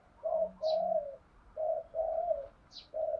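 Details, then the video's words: Spotted dove decoy cooing in 'giọng đồng' style, used to draw wild doves into calling; quieter, drawn-out hollow coos in steady pairs over background hiss, with brief high chirps from another bird. "tiếng cu gáy mồi chuẩn anh em mà mở lên là cu mồi và bổi gáy theo cả ngày"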